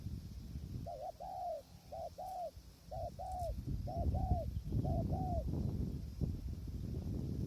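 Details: Spotted dove used in decoy trapping on a windy day. Five quick coo pairs, each a short note then a longer mellow one, run in succession before gusting wind swells and covers the end.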